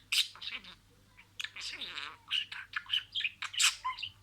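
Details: Budgie talking in sequence: gravelly, speech-like warbles and squeaks, a short near-silent gap after the opening, then a dense run of harsh chirped syllables.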